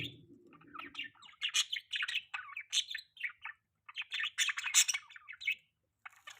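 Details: Pet budgerigar giving a rapid, continuous stream of scratchy warbles, clicks and squeaky chirps in irregular bursts, after a brief low rumbling at the start.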